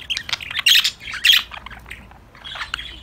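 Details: Budgerigars chirping together while playing: rapid bright chirps and twitters with two louder scratchy bursts near the start, then softer chatter.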